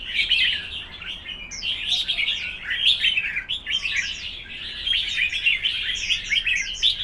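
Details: Red-whiskered bulbuls in a singing contest produce continuous, overlapping whistled and chirping phrases, with steep downward slurs standing out above the busy chatter.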